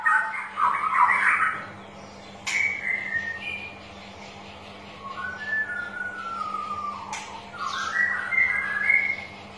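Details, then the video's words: {'caption': 'Straw-headed bulbul lure song for birds unwilling to sing: a loud burbling burst, then quieter sliding whistles that drop and climb again, with two sharp clicks.'} "Suara Pancingan Burung Cucak Rowo Malas Bunyi"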